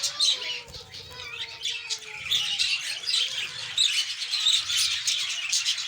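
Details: Many lovebirds calling together in a colony at egg-laying and chick time: high squeaky chatter with sharp squawks, plus faint drawn-out descending lower whistles in the first half.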